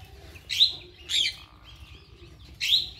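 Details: Blossom-headed parakeet, one of a set of decoy parrots kept by Ede people for trapping birds, giving three shrill, harsh, slightly falling screeches spaced about half a second to a second and a half apart over quiet background.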